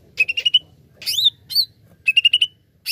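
Greater green leafbird pouring out a lively song: quick runs of four or five bright chipping notes alternate with loud, rich, down-slurred whistles.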